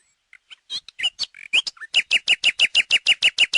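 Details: Song of the common nightingale (Luscinia megarhynchos): soft separated opening notes and a slurred whistle, then a strong steady run of about twelve identical loud notes repeated several times per second.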